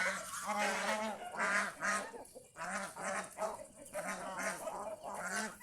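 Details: Geese enjoying the fields near a house give a steady run of loud, nasal honks, roughly two per second, each note clear and harmonic, with several birds calling together.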